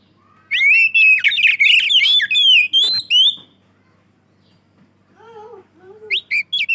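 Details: Loud Oriental magpie-robin song meant to draw other magpie-robins: a fast, dense run of bright whistled notes for about three seconds, a quiet pause, then low nasal calls and a few short high whistles.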